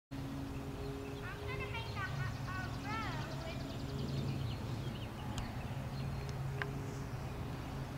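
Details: Tree swallow during nest building and a quick courtship in 2011: a quick burst of liquid, bubbling chirps and rising-falling twitters for about three seconds over a steady low mechanical hum, with a few clicks afterward.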